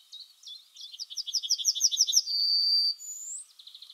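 A Yellowhammer sings a quick run of about a dozen high, repeated chipping notes, then a long, drawn-out wheezy note ending slightly higher.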